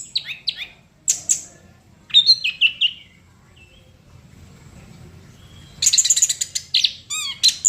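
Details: Chestnut-capped thrush singing energetically. Several short whistled phrases with falling slurs come first, then a quiet stretch of a few seconds, then a dense, rapid burst of ringing trilled notes and chirps.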